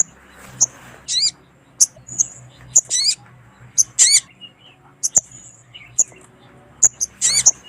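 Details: Female sunbird calling to a male, used to lure wild birds: sharp, very high chirps and squeaky trills in short bursts, roughly one every half second to second, over a faint low hum.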